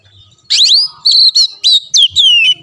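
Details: Short Oriental magpie-robin phrase used as master song for a caged bird: a sharp rising note, then several clear whistles, the last one sliding down.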